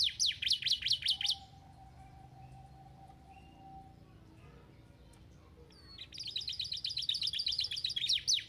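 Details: Canary song used to stimulate lazy canaries to sing: rapid high trills of repeated chirps, one burst at the start, then a quiet stretch with a faint steady tone and low hum, and a longer rattling trill resuming toward the end.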